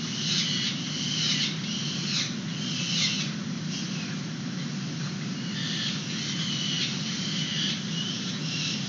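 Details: Peregrine falcons at a nest box webcam in San Francisco, 29 April 2021, young being fed outside the box on a sunny day; harsh, raspy high squeals come in repeated bursts about once a second over a steady low city traffic rumble.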